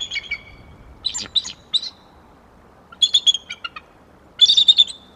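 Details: Bald Eagle pair calling together ahead of a failed copulation attempt in January: brief high-pitched chittering bursts, the second half holding two clear rattling series about a second apart.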